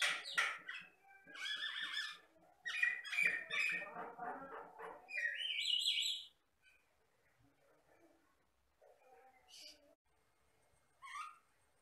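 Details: Vigorous song of a jalak Batam myna: dense bursts of harsh chatter and squeaky notes, a high buzzy whistle, then a quiet gap with a few scattered chirps.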